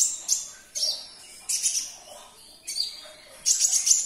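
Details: Kolibri ninja, the olive-backed sunbird, in a song used to stimulate caged birds: loud, very high, buzzy chirp bursts, four or five short phrases spaced under a second apart.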